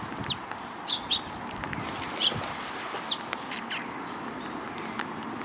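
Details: Sparrows near Mizukami Bridge on the afternoon of 31 March 2022 give short, high, sharp chirps, spaced irregularly, with soft wing flutters and a faint hiss of background noise.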